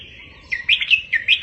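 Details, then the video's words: Red-whiskered bulbul song recorded as a tutor for caged birds: a held whistle leading into five quick, bouncing warbled notes in the mid-high range, clean and close. "เสียงนกกรงหัวจุก เบิ้ล3-4-5 ก๊อปติดง่าย 100%"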